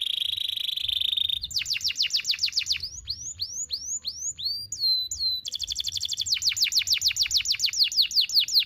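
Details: Canary song used as a training model for young canaries, long single-breath phrasing: a steady whistled trill, then fast repeated downward sweeps, slower looping notes, and another rapid run of sharp descending notes.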